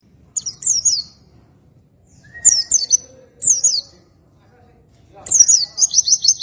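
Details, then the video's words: Oriental white-eye singing ngroll tembakan santai: several short bursts of thin, descending high chirps, ending in a longer run of repeated notes, against a faint low hum. "PLECI NGROLL TEMBAKAN SANTAI || MASTERAN RELAKSASI PLECI BUNYI"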